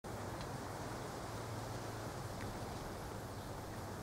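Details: Steady broadband rumble and hiss like passing traffic or wind fill the recording, with no clear animal calls.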